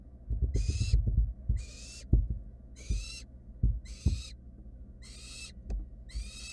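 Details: Begging barn owl nestlings in a wild, monitored nest box after a sibling quickly swallowed a mouse: six evenly spaced rasping screeches, about one per second, over busy low thumps and scuffles.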